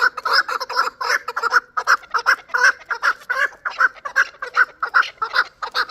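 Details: Chukar partridge, a young bird of last year from Qavoq, Shurobod, calling a run of evenly spaced, throaty chuck notes that keep a regular pulse throughout.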